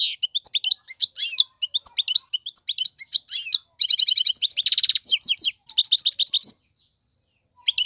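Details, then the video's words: European goldfinch male singing for young birds to learn: scattered sharp chirps building into fast rattling trills and a buzzy burst, then silence. "اقوى تغاريد الحسون, مقنين فحل لتعليم الفراخ"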